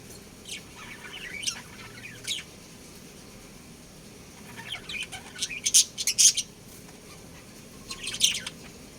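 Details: A breeding pair of budgerigars chirping: bursts of high, scratchy, warbling chirps come in clusters, with a busy run of sharp notes in the middle and brief pauses between groups.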